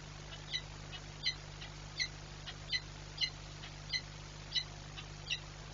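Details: A peregrine falcon at the Orlen Płock nest, 15 March 2022, leaps screaming from the nest, giving eight harsh, grating calls at roughly one every three-quarters of a second over a steady low hum.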